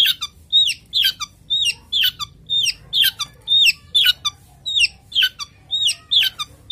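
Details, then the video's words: Kept long-tailed shrike male in breeding condition repeats squeaky, twisting chatter phrases about twice a second, loud and even throughout. "Pancingan Suara Toet Dan Materi Cendet Jantan Birahi"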